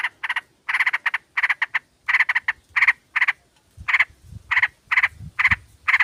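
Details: Sooty-headed bulbul female calling a male, used as a lure: dense, rapid series of harsh chattering pulses in quick groups, with low thumping noises partway through.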